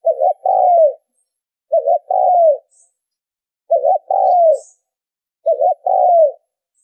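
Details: Spotted dove calling as a lure for trapping birds: four low cooing phrases, each a quick double note followed by a longer falling coo, repeated about every two seconds against a silent background.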